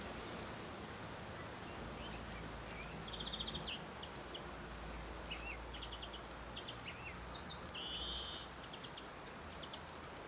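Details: Grey fantail singing high, thin notes: short squeaks, brief buzzy trills and tinny phrases scattered irregularly, roughly three or four a second, over a constant low rumble and outdoor noise.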